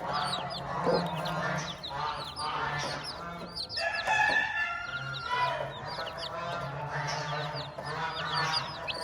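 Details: A hen and her chicks on a farm. Rapid high peeps overlap throughout with murmured clucks. Near the middle comes a louder, drawn-out tonal call, all over a constant low droning hum.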